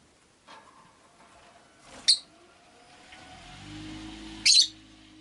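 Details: Caged rosy-faced lovebirds by a window: two brief, sharp chirps about two seconds apart, over steady low street noise and a humming engine.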